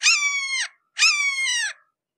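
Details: A red-shouldered hawk close by gives two piercing, slightly descending screams, each under a second, separated by a short pause.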